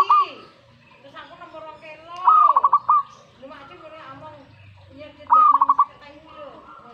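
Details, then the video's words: Zebra dove answering a master recording with two strong trilled cooing phrases, each a quick run of pulsed notes, separated by about three seconds, amid steady chatter of other birds. "Langsung reaksi buat masteran perkutut"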